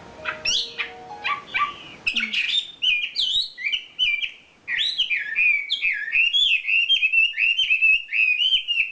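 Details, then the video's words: Champion wambi bird giving its isian fill-in song: rapid run of sharp high chirps and slurred whistled notes, quickening into a continuous wavering warble of rising and falling high whistles. "SUARA KICAU ISIAN BURUNG WAMBI JUARA"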